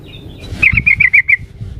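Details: Female sooty-headed bulbul calling for a male, used as a lure: a short, lively series of six bright chirping notes in quick succession, with a soft low rumble beneath.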